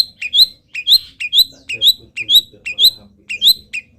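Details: Moulting local long-tailed shrike in full mimicry song, repeating a bright two-part phrase, a low chip and then a rising high whistle, about twice a second and very regularly.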